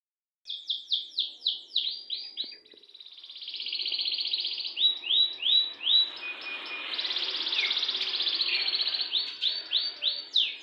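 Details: Canary singing a fast, chattering song with a long roll. A run of quick rising chirps gives way to a sustained bright trill, then to more repeated chirp phrases and another long high rolling trill.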